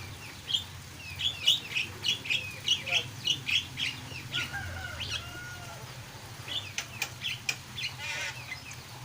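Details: Lively starling song: a rapid run of bright, high chirps for several seconds, then a short lull with a soft lower whistle before scattered harsher notes resume.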